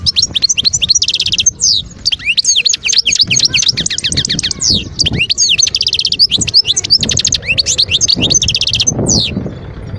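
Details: Wild European goldfinch in full song, Guerbaz near Skikda, Algeria, 2022: a continuous, dense, liquid twitter of fast rising and falling high notes with only brief breaks over ten seconds.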